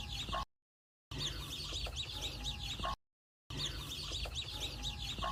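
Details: High, thin cheeping of many chicks beside their mother hen on a poultry farm, broken by two short gaps of silence, with a faint low hum.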